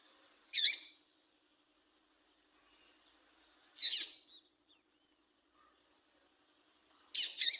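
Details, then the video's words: Call of a female double-collared seedeater, meant to make males sing: crisp high chirps spaced about three seconds apart, the last given as a quick double note, with a quiet background. "Piado de Fêmea de Coleiro para Foguear Coleiro tui tui"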